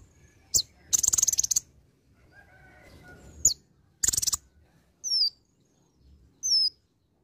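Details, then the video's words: Olive-backed sunbird singing a song filled with imitations of other birds: a fast stuttering buzzy trill, a second harsh burst, then two clear, high, downslurred whistles spaced apart. "KONIN GACOR ISIAN VARIASI"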